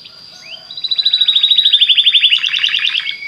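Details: Belgian canary song meant to prompt other canaries to sing, a high thin tone opening into a fast even trill of sharp notes that grows louder and slides slightly lower, with faint background hiss.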